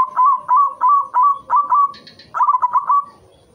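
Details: White zebra dove in full song, played as a lure to stimulate breeding; a string of short, bubbling coo notes in rapid succession, a brief break with thin high chirps, then another fast rolling burst.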